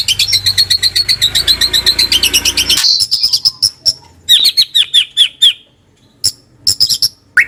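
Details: White-rumped shama giving a 'kretekan' crackling song, used to get silent shamas singing. A fast, even rattle of high notes about four per second is followed by spaced sharp chips and short down-slurred whistles.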